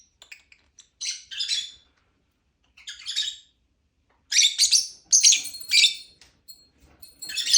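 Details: Lovebird chirping in scattered bursts: brief harsh chirp pairs separated by silences, then a louder run of rasping high calls and a final rising chatter.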